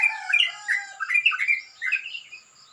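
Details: Sooty-headed bulbul giving a rough, rapid morning song: a short burst of fast, warbling chattering notes in quick clusters, fading toward the end.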